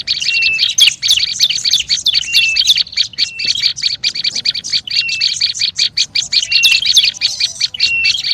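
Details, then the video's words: A lengthy run of noisy olive-backed tailorbird lure calls: fast, overlapping bright chips, nearly unbroken, with brief flat whistles about every second. "SUARA PIKAT BURUNG PRENJAK LUMUT RIBUT"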